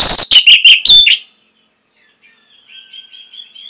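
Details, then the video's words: An orange-headed thrush (Geokichla citrina) gives a loud burst of four rapid, ringing chirps, then falls silent before a faint, wavering high warble returns. "ANIS MERAH PASTI MENGIKUTI KICAUAN MASTERAN INI"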